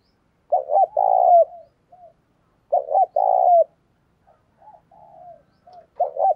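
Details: Caged spotted dove used to lure wild doves, calling strongly: two full phrases of a clipped double hoot and long low purring coo, then soft quieter notes and the start of a third phrase.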